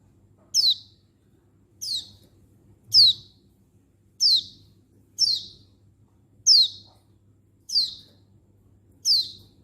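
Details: Mature female Oriental white-eye (pleci) calling to males, recorded 19/11/22: thin, high, sharply downslurred chirps given singly about every 1.2 seconds, eight notes in all, over a faint low hum.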